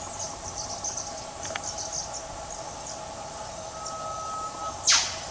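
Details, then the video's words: Australian whipbird in bush undergrowth, male and female birds calling to each other; a faint sustained whistle builds into one sharp whip-like crack near the end, with high insect buzzing and scattered chirps behind. "WHIPBIRDS - 'Cracking the Whip'"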